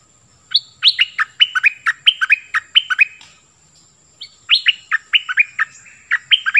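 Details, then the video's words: Nok dok taeng 'phleng boen' song for teaching young birds: a high opening note followed by a regular string of sharp, downward-slurred whistles, repeated as a second similar phrase after a short gap. "เสียงนกดอกแตงEp.5 Birds sounds เพลงเบิ้ล เปิดให้ลูกนก-ลูกเสอร้องตาม ใช้ต่อนกป่า เปิดให้นกคึก"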